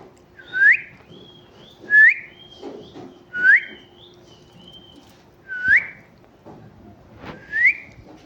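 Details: Talking parrot chirping with five bright, upward-sweeping whistles at irregular intervals of about one to two seconds, some followed by a softer, higher whistled tail, plus faint clicks and a low steady hum.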